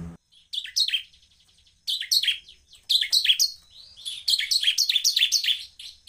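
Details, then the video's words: Provocation calls of an ashy tailorbird, used to make other tailorbirds sing: fast, insistent series of high, sharply falling chirps. The notes build into long unbroken runs toward the end. "ciblek semi Cristal gacor Cepat memancing emosi ciblek agar bunyi"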